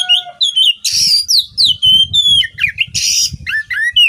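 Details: Masteran song of an Oriental magpie-robin (kacer), meant for training songbirds: sweet descending whistles broken by two loud hissing rasps, with twisting slurred notes between and a soft low murmur underneath.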